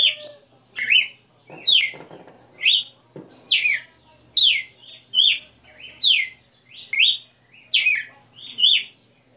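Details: {'c': "Captive Red-cowled cardinal, known as galo-de-campina, performing the '60 notas' song: a steady run of bright, swooping whistles, about ten phrases in nine seconds, with brief rustling early on."}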